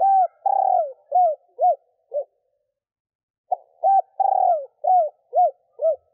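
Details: Female spotted dove calling to stimulate males, a low cooing phrase of a long note followed by several shorter falling coos, given twice with a pause between.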